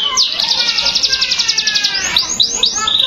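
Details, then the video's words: Canary giving a very rapid, even trill of bright high notes, followed by a few louder upward-sweeping whistles and a short steady tone. "Canary Song Full of Emotion | CANARY SINGING"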